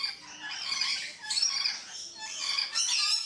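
Red-collared lorikeets give a harsh, high, continuous screeching chatter, with overlapping raspy squawks rising and falling in bursts about every second.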